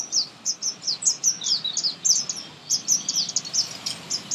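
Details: In spring, a thrush nightingale sings a fast, nearly continuous string of high slurred chirps, each falling in pitch, repeated several times a second with one short break, over low steady ambient noise.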